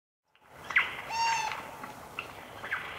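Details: Eurasian jay giving a nasal, ringing call with a steady tonal band beneath, followed by two fainter harsh notes about half a second apart in a quiet setting.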